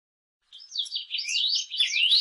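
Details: Saffron finch (Sicalis flaveola) sings a quick, high, unbroken warble of varied chirps and slurred notes, ending in a rising whistled sweep. No other sounds are heard.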